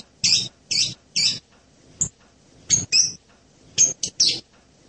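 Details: Blue-crowned hanging parrot: shrill, very high buzzy chirps in short bursts, three evenly spaced at first, then a brief tick and two more pairs of sharp notes after a pause.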